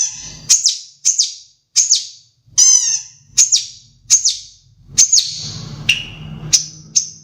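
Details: Long-tailed shrike of the Madura type, a caged songbird mimicking sparrow and Java sparrow calls: sharp high chirps and short downslurred notes repeated roughly every half second, with a low hum beneath.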